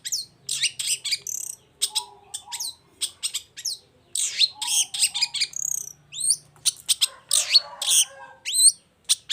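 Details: Long-tailed shrike in vigorous song: a varied, nonstop medley of high chirps, sharp falling whistles and buzzy phrases, with brief gaps between jumbled bursts.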